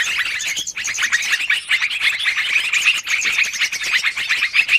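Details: Yellow-vented bulbuls in a noisy, long-running lure recording for trapping birds: a dense, continuous chatter of many overlapping high, sharp chirps and twittering notes with no pauses.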